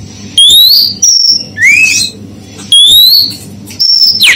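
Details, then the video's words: Female oriental magpie-robin whistling to provoke males: a rising whistle, a steady high note and a lower upward slur, the sequence then repeating, over a quiet low hum. "Siulan maut Kacer betina"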